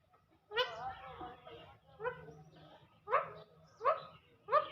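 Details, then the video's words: Pet parrot repeating "me too": five short, squawky voiced bursts about every second, the later ones sharper and more clipped, with a faint low hum underneath. "Talking parrot live talk || Bat karne wala Parrot"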